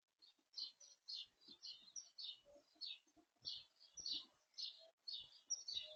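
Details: A Eurasian blue tit feeding at a garden bird feeder gives thin, high, slightly buzzy call notes. They come in short bursts, one or two a second at an uneven pace, with soft knocks and taps between.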